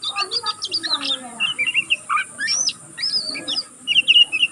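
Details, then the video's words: Juvenile oriental magpie-robin practising its song in continuous twittering: quick chirps and buzzy notes, short whistled slurs and rapid trills in dense bursts with brief gaps between them. "burung kacer pastol ngeriwik pastol paud masih belajar pokal ngeriwik tanpa putus"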